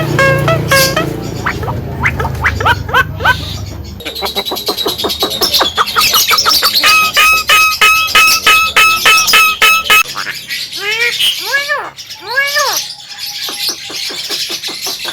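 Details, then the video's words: Talking male Javan myna in a long varied medley: rapid clicking and rattling notes, sustained ringing tones, then a series of arched, down-curving squawky notes near the end. "JALAK KEBO BISA BICARA"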